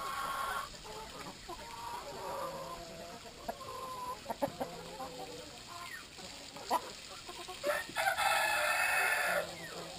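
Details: Brahma chickens at water time clucking and calling in scattered bursts, joined by sharp knocks and a louder rushing noise near the end.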